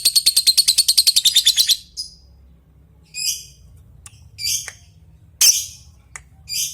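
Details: Lovebird calling an opponent: a fast rattling chatter lasting almost two seconds, then separate harsh, high squawks and short ticks with gaps in between.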